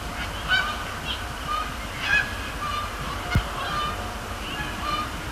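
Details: Canada geese calling at night over Sapsucker Woods Pond, Cornell Lab of Ornithology, during late-October fly-overs and landings; short nasal honks come irregularly, about every second, against constant low background hum.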